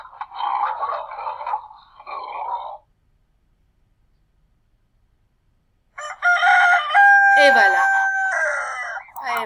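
A rooster crows: a loud, drawn-out, harmonic cock-a-doodle-doo after a brief spoken voice.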